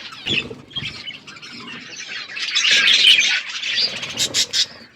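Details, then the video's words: Budgerigars eating together as a flock, likely aviary birds: warbling squawky chatter building to a loud dense burst, ending in a few sharp chirps. "Beautiful budgies flocks birds eating food"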